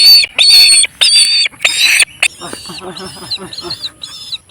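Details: An eagle, responding to a call, gives four loud, harsh, high screeching bursts in quick succession, followed by softer chattering and what sounds like a human voice.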